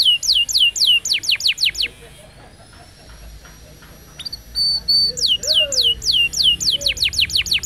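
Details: Canary singing on a recording meant to train young canaries. Quick descending sweeps repeat in fast series. A pause holds faint thin whistles, then the rapid sweeping phrases return.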